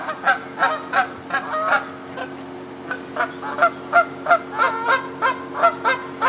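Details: Canada geese in moult on a pond in Midhurst, West Sussex, England: loud, clear honks in quick series with a brief pause midway, each call a harsh, rising nasal note.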